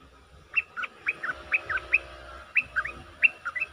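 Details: Bulbul used as a decoy, repeating short clear whistled notes in small clusters, some rising and some falling, against a low rumbling background hum.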